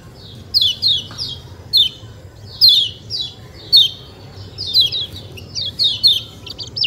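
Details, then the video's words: Yellow white-eye (kecial kuning) with "ciak ciak" chirping, recorded with natural sounds: clusters of sharp, high, downward-slurred notes repeated irregularly about every second, over a soft background rumble. "ciak ciak jos kecial kuning suara alam"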